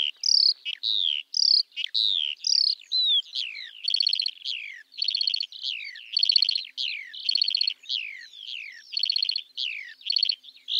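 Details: Eurasian skylark singing in spring over farmland. Falling whistled notes give way to buzzy, rattling phrases delivered almost once a second in a steady, tireless outpouring.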